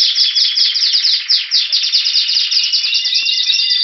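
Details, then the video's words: In February 2016 near Athens, Greece, a Spanish Timbrado canary sings ahead of spring: a loud, fast series of short downward-sweeping notes repeated about ten per second, ending in finer rolling trills. "Canario Timbrado Espanol esperando la primavera"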